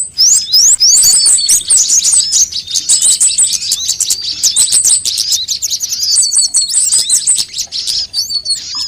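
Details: ['Sunbirds of several kinds, used as a lure to attract birds and prompt them to sing: dense, high, thin chirps and quick twittering phrases overlap almost without pause, with sharp rising and falling whistles.']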